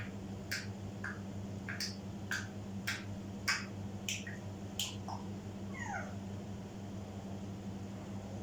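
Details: African grey parrot mimicry: a run of sharp, snapping clicks at an uneven pace, ending with a short descending squeaky note, heard indoors over a low background hum.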